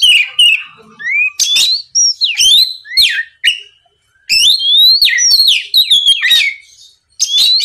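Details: Lure song of an Oriental magpie-robin played to provoke a competing bird: varied whistled swoops, sharp harsh accents and quick trills, delivered in bursts with a longer gap in the middle.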